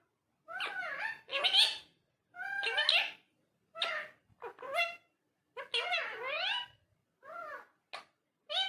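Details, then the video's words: Talking parrot indoors with a steady flow of varied speech-like syllables, rising and falling in pitch, grouped in bursts with brief pauses. "Talking Parrot"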